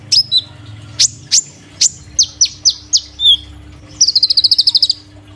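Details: Sunbird known locally as kolibri ninja, recently bought and kept caged, singing loudly three days after a cage move: thin, sharply falling high chirps spaced about half a second apart, ending in a fast even trill of high notes.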